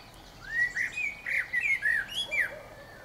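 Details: Common blackbird singing: a run of mellow, fluted whistled phrases, short rising and falling slurs of varied pitch, several in quick succession over about two seconds, with faint background hiss.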